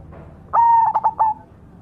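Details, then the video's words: Cemani zebra dove giving a single cooing phrase: an abrupt onset, a held tone, then a rapid stutter of pulsed notes and a trailing coo. "suara burung berkutut cemani gacor mangung"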